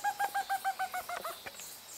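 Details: Stresemann's bristlefront giving a series of about eight clear whistled notes, evenly spaced and slowly descending, followed by a few fainter broken notes and soft background hiss.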